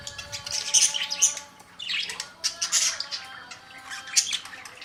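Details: Budgerigars chattering in quick bursts of harsh, scratchy squawks and chirps, with pauses between rapid flurries; faint steady tones hum underneath.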